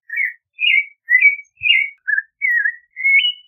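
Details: Clay-colored thrush singing evenly spaced, rich whistled phrases, each slurring down, roughly two per second, with one soft low thump.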